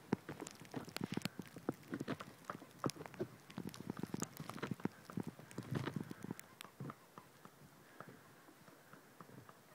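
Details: Foraging Magellanic woodpeckers in Torre Valley, one of four birds, working a hard tree for insects; rapid sharp wooden taps pile up in busy bursts through the first seven seconds, then thin out to near quiet.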